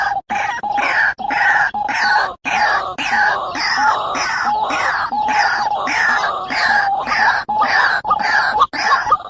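White-breasted waterhen giving harsh, nasal croaking notes, about two per second in a steady, grating series, with brief pauses between bursts.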